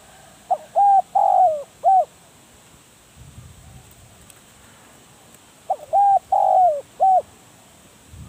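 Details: Caged spotted dove kept as a trapping decoy, giving two low cooing phrases about five seconds apart. Each has a short lead note, a level coo, a longer coo that sags at its end, and a short closing coo. Faint rustling sounds between phrases.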